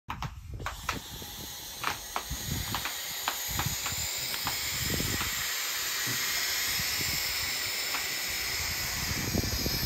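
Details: Baby barn owls huddled together in a hunting blind on a ranch in Bee County, Texas, on 4 December, give a steady, breathy hiss, a harsh rushing sound barely pausing, with soft clicks and bumps scattered through.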